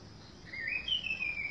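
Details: Orange-headed thrush in a garden giving a short whistled song phrase, a rising slurred note followed by a longer high whistle that drifts downward, against soft background hiss.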